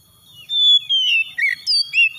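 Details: Oriental magpie-robin song used as a lure to provoke singing. A long, clear whistle slides gently downward, then short, varied warbled phrases jump between notes, with brief pauses between them.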